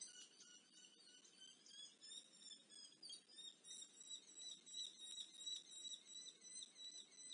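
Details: Eurasian hobby chicks being fed at the nest in Dorset, UK, on 13 July 2024 give thin, high, wavering calls that rise and fall, repeated about three times a second at low volume.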